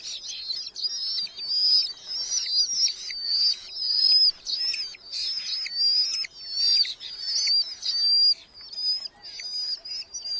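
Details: Nest box chicks of red-footed falcon in a large colony in Hungary, July 2025, parents feeding them mostly beetles; continuous high, thin, quavering whistles from several birds, overlapping and rising and falling in loud bursts.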